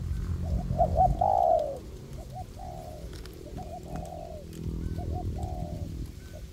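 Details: Spotted dove decoy, one of two decoy birds working together in a forest to draw in wild doves, giving several phrases of quick double hoots ending in a long, sinking coo.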